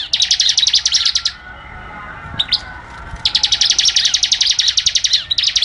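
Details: Bar-winged prinia singing actively in a tutor recording: rapid, dry, high-pitched ticking trills of evenly repeated notes, two long bursts separated by a quiet gap with a short chirp, no other clear sounds.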